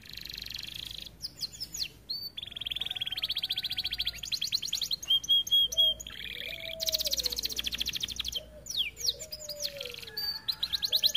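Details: Canary singing, recorded as a training model to prompt other canaries to sing and to bring breeding birds into condition: varied song mixing fast rattling trills, buzzy bursts and lower whistled slurred notes, with short pauses between phrases.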